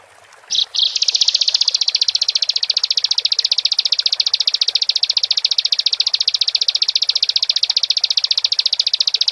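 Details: A bar-winged prinia, used as a lure call to stir other prinias into singing, gives a long, high, very rapid trill: sharp notes packed many to the second, running steadily for about eight seconds after two short opening notes.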